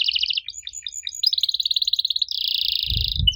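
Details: Canary song meant to coax young canaries into replying: pulsed chirps give way to a rapid even trill, then a buzzy rolling tour, ending with a soft low knock.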